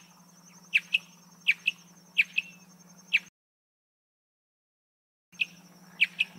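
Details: Marsh antwren singing paired high chirps, each pair a strong note then a brief echoing one, spaced evenly, broken by a two-second silent gap before the pattern resumes; low constant hum underneath.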